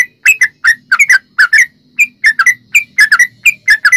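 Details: Rapid-fire 'ropel' song of a yellow-vented bulbul, used to coax other bulbuls into answering: liquid gurgling notes in paired and tripled bursts, fast and irregular, with soft low background hum.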